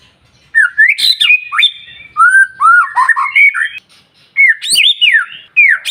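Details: A white-rumped shama sings in the morning to provoke other birds: bursts of rich whistles, swooping slurred notes and sharp clicks in three phrases separated by short silences.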